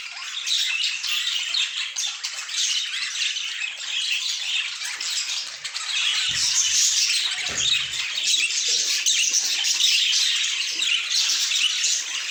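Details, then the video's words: A group of pet budgerigars keeps up dense, continuous chatter, rapid scratchy twittering and squawks blending into a steady wash, with a couple of soft low knocks midway. "A Symphony of Budgies"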